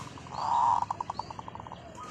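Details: Zebra dove used as a decoy, delivering a long call: a rich rolling coo swells, then breaks into a run of about a dozen short pulsed notes that slow slightly, with faint bird chirps behind.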